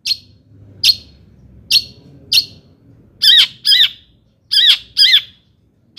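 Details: Long-tailed shrike song for goading other shrikes: four sharp clipped notes spaced evenly, then paired louder harsh notes with swooping downward tails.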